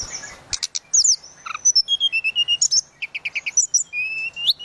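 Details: Tledekan laut singing a lively, flute-like song: high whistled notes, quick rising and falling slurs, short trills and clipped chirps in rapid varied phrases, shared as a training recording for songbirds.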